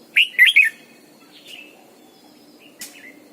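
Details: Morning song of a caged red-whiskered bulbul used as a decoy, double-note mature wild style. Opens with three quick, bright, warbled whistles, followed by a softer faint note and a short chirp near the end, over a low hum.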